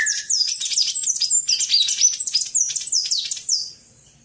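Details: Palm tanager singing: a fast, continuous run of high, squeaky descending chirps and twitters, tightly packed for nearly four seconds before stopping abruptly.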